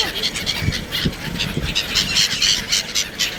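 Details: Black-headed gulls in Sharjah, 1 January 2024: a dense flock chorus of harsh, nasal, squealing calls, rapidly overlapping about four per second, over low rumbling background noise.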